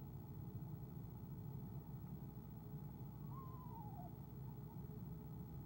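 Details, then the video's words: Owl-cam recording of an Eastern screech-owl, 17 February 2015, softly trilling as its mate arrives: a brief quavering note that drops in pitch midway through, otherwise only low continuous background rumble. "soft trills"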